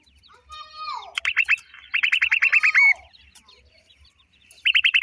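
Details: New-season black francolin chicks: a lower sliding whistle, then quick trains of sharp down-slurred chirps ending in a brief flat whistle, and a fresh burst of chirps near the end.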